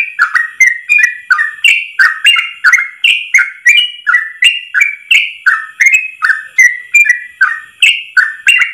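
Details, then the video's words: Yellow-vented bulbul in a tutor recording for training caged birds, singing a long rapid 'ropel' phrase in one breath: bubbly whistled notes rising and falling, each with a sharp high click, about three per second without pause. "Masteran trucukan terbaik ropel 1 nafas panjang"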